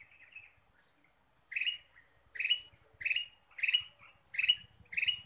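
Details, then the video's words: Ruby-throated bulbul used as a lure: a soft warble, a short pause, then six loud, bright notes in quick succession, with faint high ticks in the background. "PIKAT KUTILANG EMAS GACOR"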